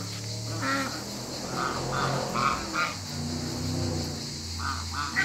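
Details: African geese kept in a backyard with other waterbirds: scattered short nasal honks, some doubled, rise out of a low rumbling background.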